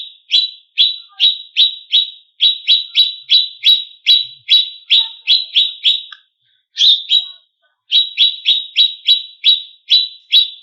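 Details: Greater green leafbird song used as a tutor and provocation recording for competition birds: loud, sharp downslurred chips repeated rapidly in long strings, about three per second, with a brief pause mid-way. No other sounds.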